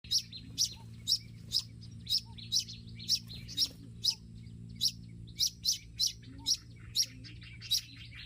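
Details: Olive-backed sunbird in a garden giving sharp, high, thin chips repeated about twice a second in an uneven rhythm, each note bright and clipped, with a low steady hum underneath.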